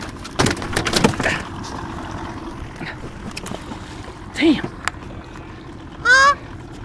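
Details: A Canada goose defending a boat, apparently treating it as its own, gives harsh, breathy hisses, then two loud, nasal honks near the end, with people shouting and a dog present throughout.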